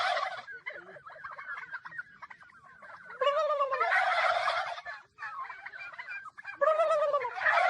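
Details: Domestic turkey gobbling loudly in repeated bursts, harsh rattling calls with wavering tones, several gobbles in under eight seconds.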